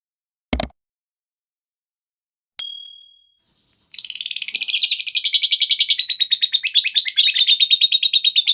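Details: Lovebird giving its long ngekek call, used as a lure and tutor for other lovebirds: a sharp click, a brief thin whistled tone, then from about four seconds a continuous rapid harsh chatter of high notes, about three per second.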